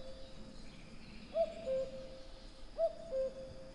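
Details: Two cu-coo calls from a common cuckoo, about a second and a half apart, each a short higher note sliding down to a longer lower one, with quiet ambient noise.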